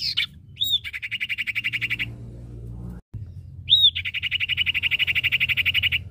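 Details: Cipoh, male and female, producing a bright whistled note followed by a long, even, rapid trill lasting over a second, a pause with low background rumble, then another whistle and a second long trill.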